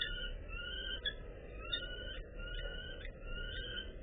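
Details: On 28 March 2014 at about 17:39, a male Common Kestrel luring a female to the nest, as a dove that had laid an egg there attacks them, gives drawn-out, whining, slightly wavering calls, each nearly a second long with brief breaks, over a low steady rumble.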